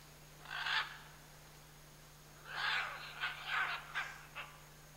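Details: A pair of scarlet macaws in the Chiquibul area giving a harsh screech, a pause, then a run of rasping squawks fading into shorter clipped calls, over a constant low electrical hum.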